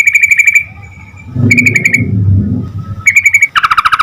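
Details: Yellow-vented bulbul song used to get other bulbuls to respond: steady buzzy rattles, a softer drawn note, and a final lower, rapidly pulsed burst, with low rumbling noise in between.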